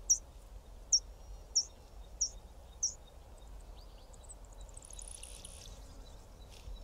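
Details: Male yellow bishop (Euplectes capensis) displaying to females over grassland gives five sharp, very high ticks about every two-thirds of a second, then a thin, insect-like fizzing sizzle, over a low background rumble.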